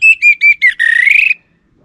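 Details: Lure song of an Orange-headed thrush, North Bali, used so that a male answers: four short, clear whistled notes, then a rapid rising warbled trill that ends abruptly.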